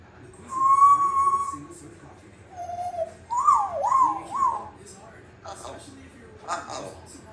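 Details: Captive African grey parrot whistling part of the Star Wars theme, long steady note then a lower tone and a wavering warbled run, followed by softer chattering, speech-like sounds indoors.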